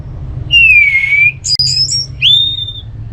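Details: Ngeplong song of an orange-headed thrush, meant to make listless birds respond and sing. A long, gently dipping whistle is followed by a few sharp, high notes and then a rising, sustained clear whistle.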